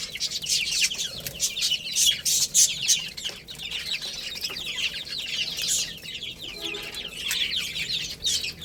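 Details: Crowd of domestic chicks chirping while they play and eat. Rapid high-pitched cheeps tumble over one another, about three per second in loose rhythm, with soft clicks and a brief lower murmur near the end.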